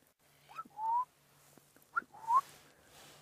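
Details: Crowned lapwing calling near zebras on a June sunset safari drive, alongside Senegal lapwings: two loud, strident calls about a second and a half apart, each a sharp note sliding into a rising whistle, over a steady low engine hum.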